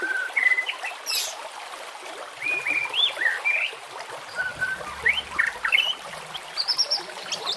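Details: Scattered White-rumped shama whistles with nature sounds and gurgling water: separate clear notes, some rising and some wavering, with a brief hiss and a soft low rumble behind.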